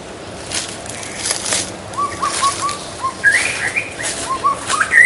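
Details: White-rumped shama in the wild giving a run of short whistled notes that climb into higher rising phrases, with rustling and breathy noise bursts throughout.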